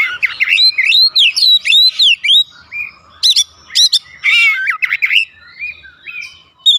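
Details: Oriental magpie-robin song used to trigger a response from other birds at home: rapid rising and falling whistles, then sharp high notes and buzzy bursts, tapering into scattered quieter notes.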